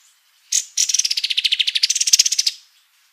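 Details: Lively kapas tembak white-eye song for tutoring: one sharp high note, then a continuous two-second trill of rapid, buzzy repeated notes that dips lower before rising again.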